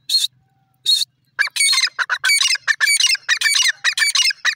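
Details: Grey francolin calling: a few sharp bursts, then a run of loud, harsh, rasping notes repeated rapidly and unevenly, each rich and grating, filling most of the recording.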